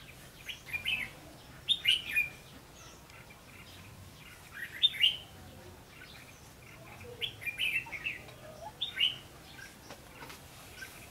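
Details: Red-whiskered bulbul singing its fighting song at a trapping session with a decoy bird, 3 January 2016: short, bright chirped phrases in scattered bursts of two or three notes, fairly faint against a steady hiss of background noise.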